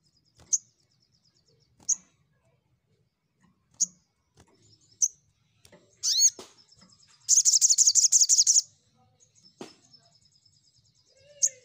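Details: Crimson sunbird in energetic song used as a lure to call rivals: sharp high chips spaced about a second and a half apart, then a fast buzzy trill lasting over a second, followed by a few more isolated chips.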